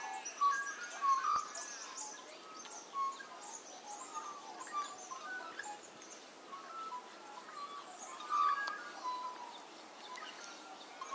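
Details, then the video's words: A chorus of magpies in full voice in a back yard on a summer morning gives short, clear, flute-like whistles, rising and falling, among other birds, over a soft, steady hiss. "A chorus of magpies"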